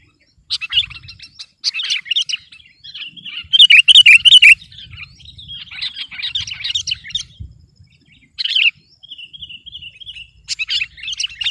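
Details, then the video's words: Sooty-headed bulbul singing energetically in competition style to overpower rivals: varied chattering, twittering phrases with a longer warbled passage in the middle and short bursts of notes after pauses. "Suara burung kutilang gacor || menekan lawan 100%"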